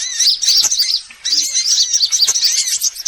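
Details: Lure call for all kinds of sunbirds: thin high chirps and quick warbled twitters in two bursts, separated by a short quieter gap.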